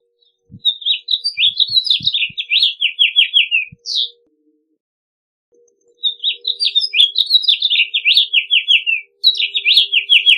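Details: House finch singing two long warbled phrases of quick chirpy notes, separated by a short pause; each rambles along at a high pitch, and the first ends in a slurred downward note. Background is quiet.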